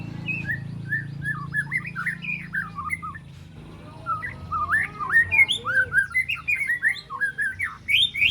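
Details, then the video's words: Young spotted white-rumped shama, three months old, practising its repertoire of imitations, harsh besetan rattles and sharp shots. Varied whistles slur up and down, then a brief pause, then a livelier burst of sharp, rising notes. A faint low hum sits underneath. "Murai Batu Trotol Jahat Usia 3 Bulan Belajar Bongkar Isian Besetan & Tembakan Tajam"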